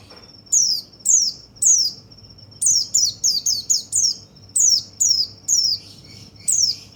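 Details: White-eye singing to stimulate other birds: a rapid series of piercing high down-slurred notes, sometimes in quick bursts of three or four, separated by short pauses, a level thin tone running between them.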